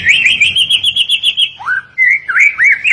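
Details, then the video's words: White-rumped shama song for training other birds: a quick series of about ten bright whistled notes at one steady pitch, a pause, then several rising and swooping clear whistles. "kicauan murai batu Miwah masteran burung"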